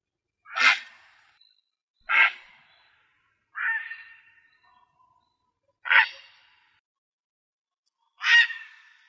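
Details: Coot giving five short, harsh, explosive calls, spaced one to two seconds apart, while coots attack a grey heron; no other clear sounds.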